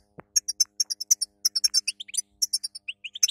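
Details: Female European goldfinch song played to train a male after moult: quick, high tinkling twitter of short chips and trills, dense at first, then thinning into rising slurred notes near the end, with one soft click at the start.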